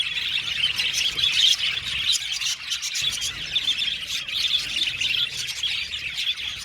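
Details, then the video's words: Many budgerigars chatter in an aviary holding a 70-pair colony: a steady wash of high, scratchy chirps and warbles from many overlapping birds, with brief slight dips in volume around the second and third seconds. "Beautiful Budgies chirping sound"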